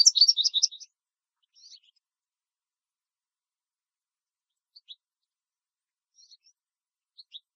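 American goldfinch giving a quick burst of about eight high, twittering chips, followed by a few faint, scattered high notes over near silence.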